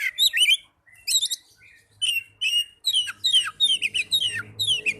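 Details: Song of an Oriental magpie-robin played to stimulate caged birds: short twittering clusters after pauses, then a fast, continuous series of sweeping chirped notes, with a faint low hum underneath.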